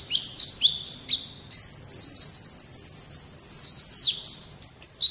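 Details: Strong, vigorous pleci (white-eye) song recorded to teach caged birds: rapid high chattering twitter, a brief lull, then a loud burst of shrill sliding whistles and chips running on continuously.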